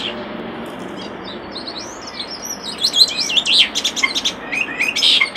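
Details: A common starling at a nest box sings a varied jumble of whistles, rising and falling squeaks and rapid clicks, growing busier after a quiet start.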